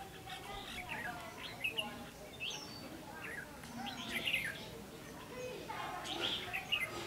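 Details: Caged red-whiskered bulbul used as a decoy at a trapping session, 16 October 2016, giving bright slurred chirping phrases in irregular clusters with brief pauses; faint voices and steady low hum underneath.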